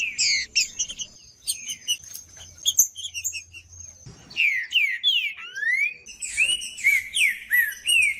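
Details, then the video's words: Green-winged saltator song meant to provoke other males: scattered short chips at first, then a lively series of clear whistled notes that sweep down and up, repeated in quick succession over a faint high steady tone. "CANTO DO TRINCA FERRO MACHEANDO"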